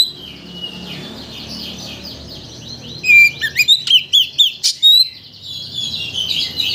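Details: White-rumped shama song used to provoke a shama into full singing: after a faint warbling start, a burst of about nine sharp, fast slurred whistles, then softer high twittering.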